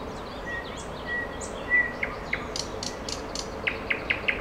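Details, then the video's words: A small bird sings beautifully: thin, level whistles, then a quick burst of sharp, high chips and a fast run of short notes over a steady hiss. "Красиво поёт птичка."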